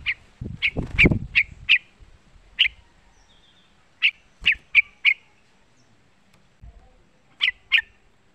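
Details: Call of a young yellow-vented bulbul, used to excite bulbuls into singing: short, sharp, bright notes given singly and in quick pairs at irregular intervals, with low thumping sounds near the start.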